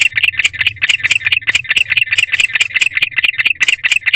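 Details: At night by a nest box, a male barn owl keeps up a fast run of harsh, scratchy chirps, roughly three each second, probably calling to his mate, recorded 16 February 2023 at 9:41 pm, low hum behind.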